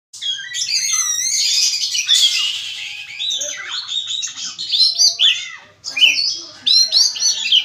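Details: Oriental magpie-robin, known locally as kacer, in loud varied song: rapid repeated high chips, then a rich run of whistled, slurred phrases and scratchy notes, pausing briefly before bright, bubbling bursts.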